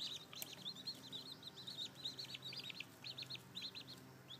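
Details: Freshly hatched chicks, seven of them, with more likely under the sitting hen; a dense, continuous chorus of high arched peeps, several birds calling over one another in quick succession.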